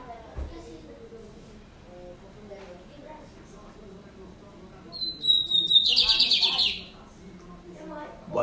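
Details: Lined seedeater in Brazil, a bird said to sing all day: after quiet background talk, a thin, high, steady whistle breaks into a fast, dense buzzy trill for about a second, then murmuring voices return.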